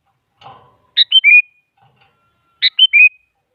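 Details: Sooty-headed bulbul female calling a male, used as a lure: two crisp whistled phrases, a high note followed by two stepwise descending slurred whistles, after a brief soft rasp.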